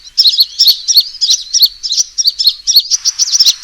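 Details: Sunbird call used as a trapping lure, a fighting call: fast series of sharp, high metallic chirps, about three per second, running almost without pause.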